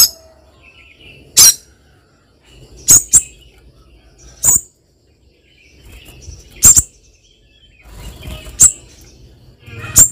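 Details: A female spiderhunter calls to the male with sharp, high, clipped notes, single or doubled, scattered irregularly across the span, plus faint softer twitters and low background noise.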